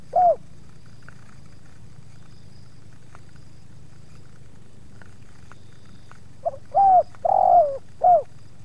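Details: Spotted dove in an encounter where two wild doves approach a captive bird; a single soft coo, a long pause, then a quick phrase of three to four mellow hooting notes over low steady background rumble.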